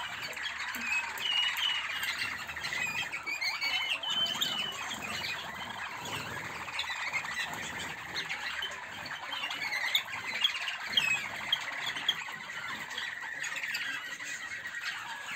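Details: Several Malinois canaries in a flight aviary in 2024 sing together in a dense, continuous wash of rolling, chirpy phrases with occasional sharp notes.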